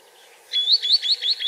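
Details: Green sandpiper (Tringa ochropus) feeding on small invertebrates in Portugal gives a quick run of high, clear, upslurred whistles, about five notes a second, after a brief quiet start.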